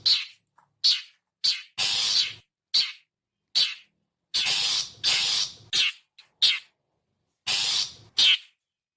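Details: Long-tailed shrike giving its characteristic lure call: a loose series of rasping, noisy chatters, some drawn out, others clipped, irregularly spaced over nine seconds against silence.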